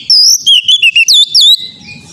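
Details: Oriental magpie-robin song for training a young untrained bird: rich, loud whistled phrases that rise and fall, delivered in quick bursts with brief pauses, ending as faint low background noise returns.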